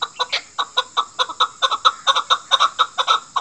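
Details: Chukar partridge: a brisk series of harsh, clucking chuck notes repeated a little over twice per second, loud and close, with slight double notes here and there.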